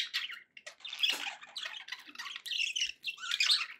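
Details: Happy budgerigars kept as pets, a quick jumble of squeaky, buzzy chirps and warbles in a small room.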